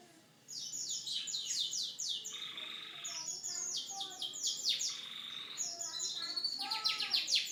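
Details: Canary in song, described as unique: continuous high, bright phrases of rapid repeated sweeping notes alternating with buzzy rolling trills, running on without pause for over seven seconds.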